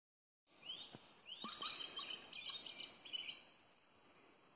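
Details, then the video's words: Violet-necked lory, common on a birding tour, giving a string of harsh, high, grating screeches in quick bursts over about three seconds, over faint background hiss. "Violet-necked Lory"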